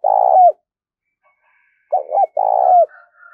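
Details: Spotted dove used as a decoy bird, calling in urging bursts to lure other doves: rich low coos, one long rolling coo, then a short double coo and another long one, with a faint higher chirp near the end.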